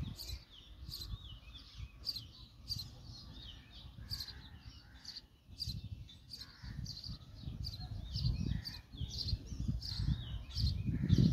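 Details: Baby sparrow being fed by adult sparrows: high thin chirps repeated roughly twice a second over steady low rumbling noise.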